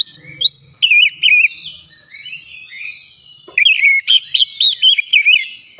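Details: White-rumped shama song as a lure to provoke other birds: bursts of bright, warbling whistles with quick trills, a short lull, then another rapid run of notes.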